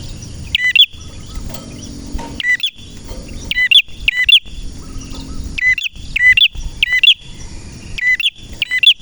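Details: Series of sharp, ringing chips from a male red prinia, grouped in quick pairs and spaced about half a second to a second apart, above a continuous high tone and faint low noise.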